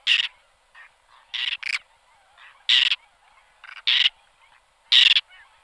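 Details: Whiskered tern giving harsh, rasping calls, short broadband bursts repeated irregularly about once a second, some doubled, with fainter calls in the background.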